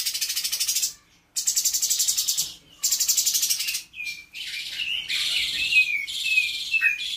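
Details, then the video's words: Caged trotol cucak cungkok from Bandung, still in training, its song filled with imitations of Katem, Bren, Rambatan, Parkit and Srindit. Loud bursts of dense, scratchy high chatter give way to sharp whistled notes and trills. "Cungko trotol gacor"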